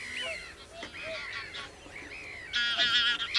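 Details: Common crane calls: several slurred, upward-curving calls, then a loud, rough, strongly harmonic trumpeting burst in the final second, over faint low background rumble.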